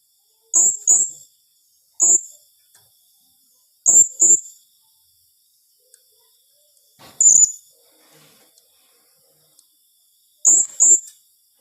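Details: Blue-crowned hanging parrot producing tembakan rapat calls: five bursts of thin, very high notes, mostly doubled, spaced irregularly about two to three seconds apart, with faint clicks between.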